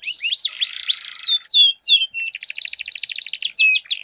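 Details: Duelling canaries, a song used to prompt quiet canaries into singing: rising swept whistles and high slurred notes, then a fast buzzy trill rolling on steadily to the end.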